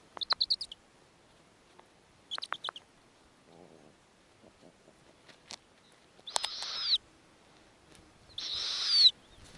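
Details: From an Arctic snowy owl nest where the female offers food to her young: two quick clusters of short raspy notes, then two longer, swelling hissing screeches about two seconds apart.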